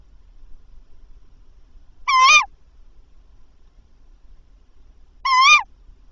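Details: Male tawny owl at the nest at 21:50, calling ahead of a mouse delivery: two brief, raspy, nasal calls roughly three seconds apart, each wavering and falling at the end, in near silence.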